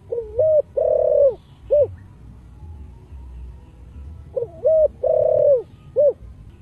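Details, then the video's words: Deep-voiced spotted dove singing in the 'thổ' style. Two matching phrases each pair short notes with a long, flat coo and end in a brief final note. A low hum runs underneath. "Cu gáy giọng thổ đặc đủ bài chiêu - thúc - gù/ cu gáy giọng thổ sấm/ tiếng chim cu gáy kích bổi"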